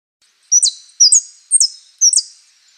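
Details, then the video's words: Saffron finch (Sicalis flaveola, "jilguero") song of the type called prio, golpe y pitada: four bright, high chirped notes about every half second, each trailing into a thin buzzy tail, with nothing else heard. "JILGUERO AUDIO"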